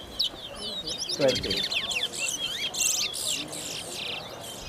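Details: Brown towa towa (chestnut-bellied seed finch) singing race between two birds at a bird ground: rapid, high warbled phrases and sweet twittering whistles, with a man's voice breaking in partway through.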